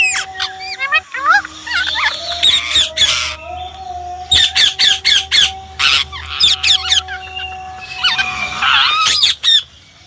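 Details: Indian ringneck parrot calling in rapid bursts of shrill, harsh screeches, several loud notes close together, with a faint steady tone running underneath throughout.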